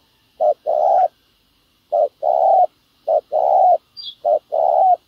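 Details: Spotted dove decoy on the ground luring wild doves for trapping: four rhythmic coo phrases, each a brief note and a longer rounded coo, with one faint thin high chirp from another bird near the end.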